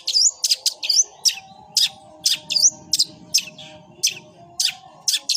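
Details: Long-tailed shrike in fighting "gereja" song: loud, high chirps and curling whistled notes at uneven intervals, roughly two per second, over a faint low steady hum and murmur.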